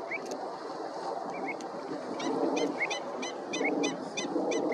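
Pied avocet chicks give short, sharp, high calls about every half second over a steady rushing background of wind or distant birds.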